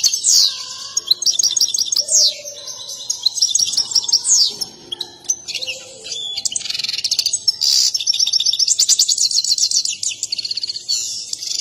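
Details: European goldfinch in excited mating song with a dance, a style prized by breeders: dense bursts of high, tinkling twitters and quick rattled trills flowing almost continuously, with soft lower whistled notes in the background.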